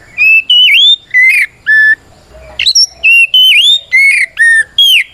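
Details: Captive white-rumped shama singing a fighting song used to provoke rival shamas into answering, loud clear whistles, some rising and some dipping, given in regular short phrases with one brief pause midway.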